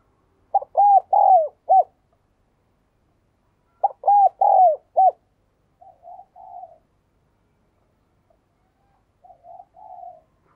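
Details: Spotted dove repeating its cooing phrase twice, about three seconds apart, each of four hollow notes; quieter, muffled coos follow later in otherwise still surroundings.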